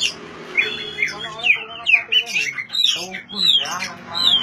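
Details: Oriental magpie-robin song, used to coax silent magpie-robins to sing. Bright, sliding whistles and harsher chattering notes come in quick bursts roughly every half second, with a faint low background hum.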